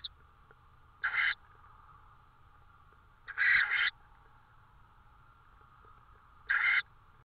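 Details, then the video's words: Tawny owl in Estonia on 5 May 2013 at 22:36, with prey: three hoarse, rasping bursts of about a third of a second each, spaced a few seconds apart, over a quiet background. "Estonian TawnyOwl - May 5 - 2013 - Prey"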